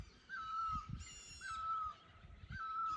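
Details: A bird giving its mating call in a forest: a clear whistled note, held then slightly falling, repeated about every 1.1 seconds, with a rich chorus of other birds and insects behind.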